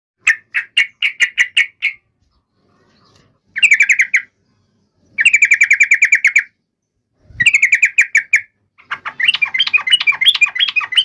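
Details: Yellow-vented bulbul fighting song used as a lure so other bulbuls answer at once: bursts of rapid chattering notes, then a pause, several more chattering runs and a final busier, warbling stretch.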